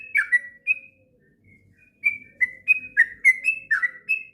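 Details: Sooty-headed bulbul, long training song for young birds: a few whistled notes, a quiet gap, then a quickening run of clear slurred whistles with faint low background noise.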